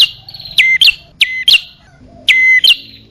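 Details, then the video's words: Bar-winged prinia call played as a lure for male and female birds: shrill phrases of a dropping note, level high whistle and quick upswept chirp, three in a row with brief pauses, background otherwise quiet. "Suara pikat burung kecil paling ampuh | Anti Gagal Khusus Prenjak Atas Betina Jantan"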